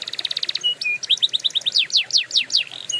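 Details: Canary song played for training canaries: a rapid pulsed trill, two short whistled notes, then a run of sharp descending sweeps repeated about five times a second, ending in a brief tone.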